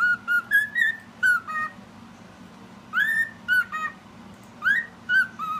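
A cockatiel whistles short tuneful phrases of clear, sliding notes while a person whistles along.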